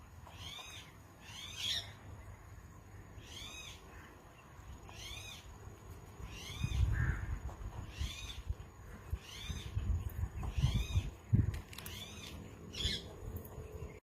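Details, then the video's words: Indian ringneck parakeet, a talking pet parrot, giving loud harsh screeching calls with layered overtones, repeated roughly every second or so about a dozen times, over a low rumbling background. "Best talking indian ringneck parrot | parrot talking in urdu hindi"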